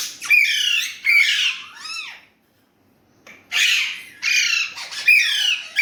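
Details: Pet Indian ringneck parrot speaking Urdu/Hindi: three strong, harmonic phrases, a second of silence, then three more loud, raspy phrases.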